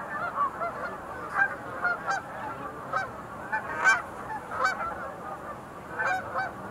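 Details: Flock of sandhill cranes at the Visitor Center pool of Montezuma National Wildlife Refuge, 20 November 2021, giving loud rattling, bugling calls that rise in bursts roughly every couple of seconds over a steady background chorus.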